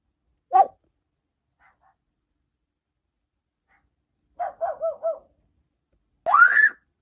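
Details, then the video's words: Indoor pet African grey parrot, female and a feather plucker, gives one sharp hack, then a short run of three or four rough coughing bursts, ending in a loud rising squawk. "African Grey Parrot coughing up a storm"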